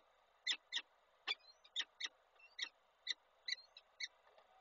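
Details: Peregrine falcon at Koszalin on 27 April 2022 during the male's breakfast delivery to the female: spaced rasping notes, often paired, every half second or so, with faint squeaky tones behind.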